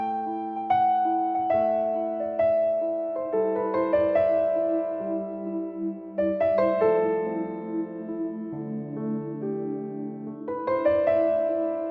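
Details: Soft piano music with sustained chords and no animal sounds.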